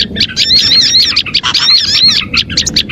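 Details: Lure song of Oriental white-eye for attracting small birds: rapid, high-pitched twittering with thin whistled slurs running almost without pause.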